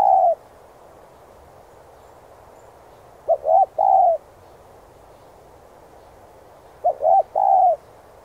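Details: Urgent cooing of a spotted dove used in decoy-bird training: the tail of one phrase, then two full phrases about four seconds apart, each a clipped note, a double coo and a sustained flat coo.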